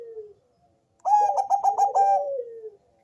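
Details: Deep-voiced Bangkok-type zebra dove singing melodiously to coax other doves into calling. A soft falling note is followed by a rapid run of about six pulsed coos that slide down into a long descending tail.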